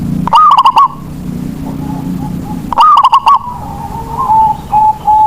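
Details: Local zebra dove, a lure bird meant to get reluctant doves singing, gives two loud rolling coo phrases made of rapid pulses, followed by soft, level coos.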